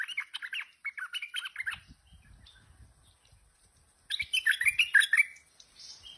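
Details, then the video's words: Lively tame stripe-throated bulbul sings two bursts of rapid, bubbly chatter with a low rumbling noise in the pause between. "Merbah Lekir Gacor Jinak"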